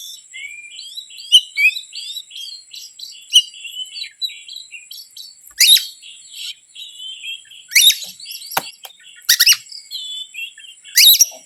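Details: Oriental magpie-robin song to provoke other birds: a long run of rapid varied whistled phrases, then repeated loud scratchy outbursts, with a constant high-pitched hum in the background.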